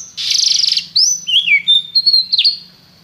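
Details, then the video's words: Canary starting with a buzzy rapid trill, then a bright whistle, a falling warbled note and a string of short high chirps that fade out. "Seu canário cantou imediatamente depois de ouvir este canário"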